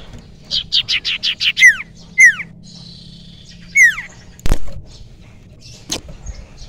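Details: Forest-caught young common iora, known locally as cipoh sirtu, singing as a lure bird: a quick run of six short chips, then sharp downslurred whistles with pauses between, and a few dull knocks nearby.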